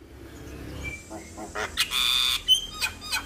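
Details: Male Javan myna singing energetically to prompt other mynas to join in: harsh broadband squawks and a long raspy burst, with thin whistled notes near the middle and sharp clicking calls toward the end.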